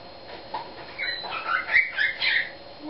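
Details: Captive eclectus parrot improvising a made-up song: soft murmurs build into twisting, squeaky whistled warbles, swelling in loudness toward the end.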